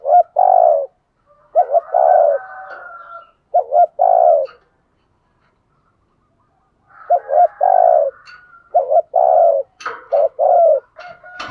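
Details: Decoy spotted dove cooing to provoke and lure wild doves: two bursts of short, low, hollow coo notes with a pause between them, overlaid by faint higher twittering and a few clicks at the end.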